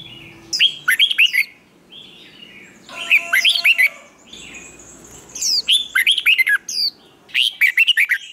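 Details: Red-whiskered bulbul song, used to train birds for singing competitions: repeated bursts of rapid, bright, slurred whistled notes, four or five per phrase, coming about every one to two seconds with short gaps.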